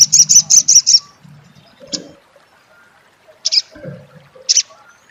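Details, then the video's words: Olive-backed sunbird (sogok ontong) giving its crecet chatter: a quick run of five high, sharp chips in the first second, then single bright chips spaced about a second apart, with soft low thumps underneath. "suara crecet SOGON / sogok ontong!!"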